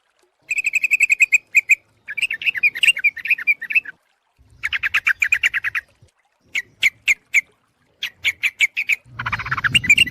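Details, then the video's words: Yellow-vented bulbul lure call used to attract birds: bursts of rapid, evenly repeated chattering notes with bright ringing overtones, separated by short pauses, then a harsher, noisier burst at the end. "suara pikat burung trucuk ampuh"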